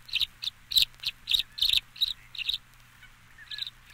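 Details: Tree Swallow giving a run of short, bright chirps, about eight in three seconds, then a pause and a final pair. The notes are high, clipped and evenly spaced over a quiet background hum.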